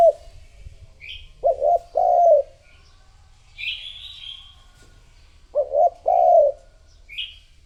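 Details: Lure recording of a spotted dove meant to draw in other doves; a short stuttering coo and a long rounded coo form each phrase, repeated twice, with brief thin chirps of small birds above.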